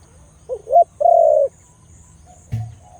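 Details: One coo from a Khmer dove with a big voice. Two short notes lead into a sustained mellow coo, and a dull knock is heard about a second later.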